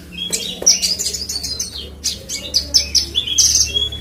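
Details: Horsfield's bush lark of the subspecies parva from West Nusa Tenggara, Indonesia, singing a rapid run of high, buzzy chirps and trills. Short notes repeat in quick bursts with brief pauses, over a faint low hum.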